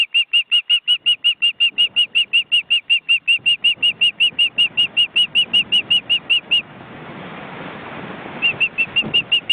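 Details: Estonian forest-reserve osprey nest on webcam, fledging-age chicks flapping: a long, very regular train of piercing whistles, interrupted by a stretch of rustling and wing noise before the whistles resume.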